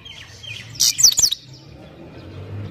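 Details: Goldfinch singing a short burst of high, bright chirps and quick down-slurred twitters, with soft low hum underneath.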